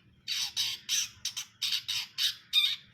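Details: Long-tailed shrike singing: a run of eight harsh, raspy squawking notes, each about a fifth of a second, repeated roughly every third of a second, with a faint low hum beneath.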